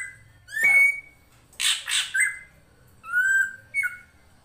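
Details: Training-master drongo song: a loud whistled note slurring upward, then a pair of coarse rasping bursts, then a level whistle and a short rising whistle, over a faint water hum.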